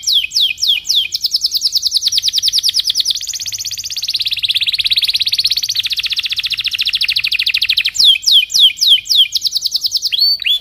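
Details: Singing Belgian canary in the morning, a training lure for young birds: slurred chirps lead into a long, even, rapid roll lasting several seconds, followed by another run of sharp downslurred notes.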